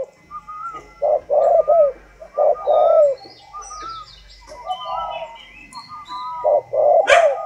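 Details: Spotted dove, a tame bird of the northern Vietnamese 'giọng sấm' (thunder voice) style, giving deep, hollow coos in short bursts of two or three notes with brief gaps, thin chirps and faint tones above.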